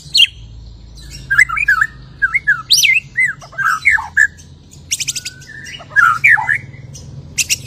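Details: White-rumped shama after its moult singing a lively medley: bouncing whistled phrases, rising and falling slurs, short harsh rasping bursts and sharp high notes, repeated in clusters over a low hum.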